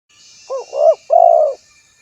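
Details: Spotted dove, recorded for luring, calling a rival: a soft short coo, then a rising-falling coo and a longer drawn-out, slightly throbbing coo, low and hollow, with a faint steady high hiss behind.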